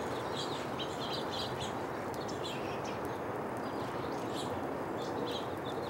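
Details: Quick clusters of sharp house finch chirps, scattered through the clip and partly masked by constant heavy broadband noise.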